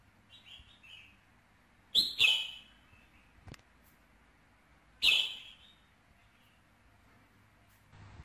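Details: Red-whiskered bulbul song for stimulating a male bird: faint warbled notes, then two loud, sharp, ringing bursts about three seconds apart, each falling and fading quickly, with a click between them.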